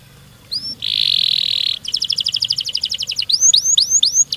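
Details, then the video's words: Canary singing at moderate distance: a brief whistle, a buzzy churr, then a fast rolling trill and a series of rising looped whistles, with faint background hiss. "Burung kenari gacor ngerol ngedur panjang, Suara Kenari gacor speed rapat untuk pancingan kenari"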